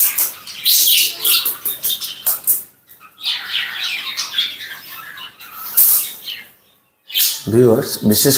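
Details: Pet budgerigars in a cage in Rangamati, Bangladesh, after their food and water are refreshed; rapid scratchy chirps and chatter in uneven bursts, a silent gap, then a lower voice-like sound at the end.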